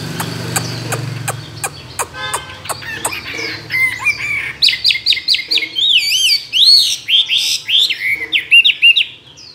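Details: Chinese hwamei, a tame two-year caged bird trained for singing contests and credited with many wild calls. Sharp clicks give way to a loud, rich run of varied whistled phrases, with rising and falling slurs repeated rapidly.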